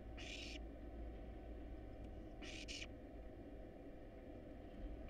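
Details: Hungry wild barn owl chicks begging in a research nest box during a feed of rat and rabbit: two broad, rasping hiss bursts, with the start of a third at the end, above a constant low drone.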